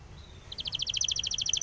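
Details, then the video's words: Spanish timbrado canary training song, opening with a thin, faint whistle and then a rapid, even, chattering trill of high notes. "SPANISH TIMBRADO SONG FOR TRAINING - canary training song"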